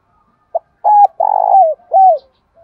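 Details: Spotted dove decoy cooing at dawn to summon the flock: one short note, a flat held coo, a vibrating rolled coo descending at its end, and a clear falling final coo, repeated in a deep mellow rhythm.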